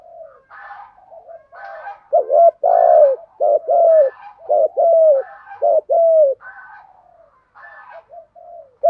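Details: Spotted dove cooing in the local 'thổ' voice style, used to train and lure wild-caught doves, male and female calls included; soft low coos with a hoarse, stuttering phrase of several hollow notes, quieter murmured coos before and after.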